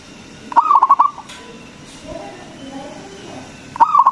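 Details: Zebra dove of local stock in lively song, played to rouse other doves. A fast trilled run of coo pulses is followed, after a pause with faint background calls, by the start of another.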